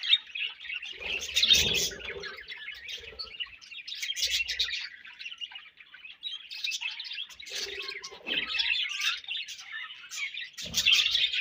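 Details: Budgerigars feeding and exchanging food: busy, overlapping high chirps and warbling chatter come in bursts, swelling and fading every few seconds, with short low rustles and thuds between them.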